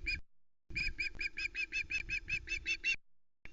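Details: On the Loch Arkaig nest, 1 September 2020, a young female Osprey squawks over a whole trout her father delivered before flying off with it; a steady run of quick, harsh, evenly pitched squawks about three a second.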